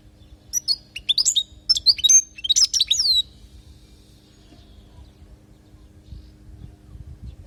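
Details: European goldfinch from Palestine singing a teaching song for young birds: a quick burst of high, thin twittering notes and sweeping whistles for about two and a half seconds, then quiet with a faint low hum.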